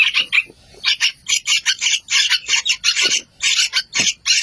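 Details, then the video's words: Baby yellow-vented bulbuls giving harsh, raspy, hissing bursts in a rapid, uneven series, roughly three per second, with brief gaps between them. "sound of baby trucukan birds"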